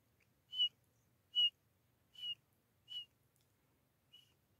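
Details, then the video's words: Grey francolin pair calling, a recording meant for hunters: five short, clear whistled notes at a steady high pitch, about one every 0.8 seconds, fading toward the end over a faint low hum. "شکاریوں کے لئے دیسی جوڑے کی آواز"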